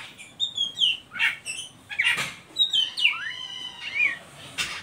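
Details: Ngeriwik song of an Oriental magpie-robin, used to lure young birds into singing: clear drawn-out whistles sliding downward, interrupted by harsh buzzy bursts, with a smooth rising whistle near the middle.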